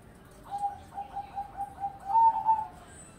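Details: Zebra dove, a crossbred bird, cooing: a series of soft, rapid, gurgling notes in a steady rhythm, ending in two louder, higher trilled coos, over a quiet background hiss.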